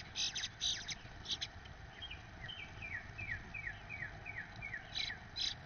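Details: Male Eastern bluebird feeding a first-clutch nestling: a few harsh raspy bursts at the start and end frame a series of soft, short down-slurred whistles repeated about twice a second, with faint background noise.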